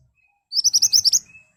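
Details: Ashy tailorbird's sharp, vigorous song, played to draw other birds into answering: seven fast, piercing high notes in a tight burst lasting under a second, with a faint steady tone and otherwise quiet surroundings.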